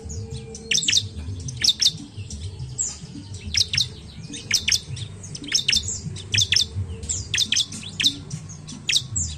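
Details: Bar-winged prinia song serving as a lure for reluctant singers, with bursts of rapid, high, sharp chirps recurring throughout and a low humming background.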